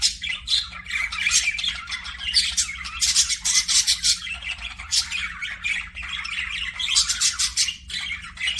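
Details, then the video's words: Long run of budgerigar chirping: energetic, scratchy warbled chatter in rapid pulses with occasional harsh squawks. "PARAKEET NOISES"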